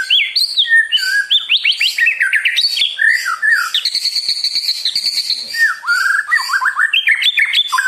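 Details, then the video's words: White-rumped shama (murai batu) pouring out a provoking song used to stir other birds to sing: a dense, unbroken run of varied whistles, slurs and chattering notes, loud and rich throughout. "PANCINGAN MURAI BIKIN CEPAT EMOSI | SHAMA BIRD"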